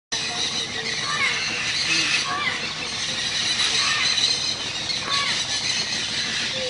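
A dense chorus of macaws and parakeets: harsh, grating squawks and shrill screeches overlap continuously, with no pauses and no single caller standing out.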